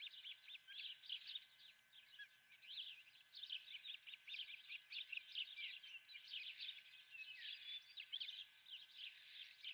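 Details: At the Dunrovin nest, an osprey with a live golden fish for breakfast; soft, quick chirps repeat steadily in a continuous chattering run, with a faint low hum.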